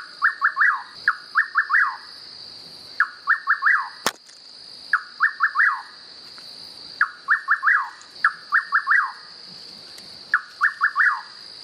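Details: Rufous Nightjar singing in nature: repeated four-note phrases, a short sharp note followed by three quick slurred whistles, the last swooping down, about nine phrases over twelve seconds, with a steady high insect drone behind.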